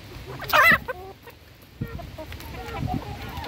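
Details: Hens being fed: one loud, harsh, broadband squawk bursts out near the start, followed by a few softer, short clucking notes and scattered background rustling.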